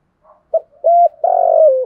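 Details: One phrase of a spotted dove's fight-provoking coo, aimed at wild birds: a faint murmur, a short clipped note, a hollow even coo, then a long burry coo that slides lower at the end.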